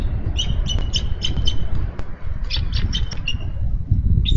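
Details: Female bald eagle on a Minnesota nest, calling for her mate to relieve her from nest duty: bursts of rapid high chittering notes, five or six per series, repeated, over loud low rumbling wind or camera noise.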